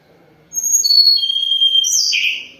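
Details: Song of a Sunda robin (tledekan gunung) in moult: long, pure, drawn-out whistles that step downward in pitch, closing with a brief buzzier, rougher flourish.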